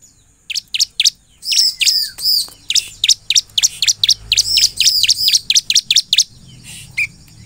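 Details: Crescent-chested puffback pouring out song aimed at getting other birds to respond: dense, steady chains of shrill down-slurred chirps, some doubled, with a short falling whistle near the start.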